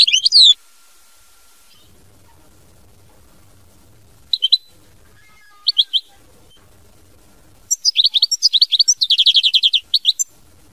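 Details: European goldfinch giving mama binette song: a brief slurred phrase, a few isolated chirps after long pauses, then a lively three-second run of twittering that turns into a fast, even trill of repeated buzzy notes.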